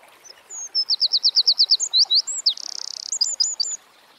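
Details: Song of a Eurasian wren (Troglodytes troglodytes) outdoors: a brief whistle, a fast series of high ticking notes, a mechanical trill, then a string of crisp chirps, about three seconds long.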